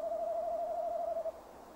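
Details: Male tawny owl at a nest box, calling in the early evening of 15 December 2015 before settling to preen. One sustained, finely trembling hoot lasts just over a second, then quiet.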